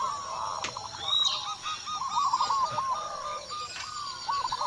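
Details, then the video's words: Local Indonesian zebra dove giving repeated soft, trilled cooing phrases in quick bursts, answering after a single lure call, with a thin high whistle from another bird and faint background noise. "Perkutut Lokal Gacor Suara Besar"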